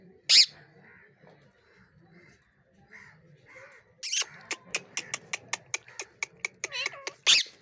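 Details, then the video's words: Angry parrot making sharp, very high screeches, one at the start and one at the end, with a quick run of short clicking calls between them and faint murmuring in the background. "cute angry parrots Talking गुस्सा वाला मिट्ठू"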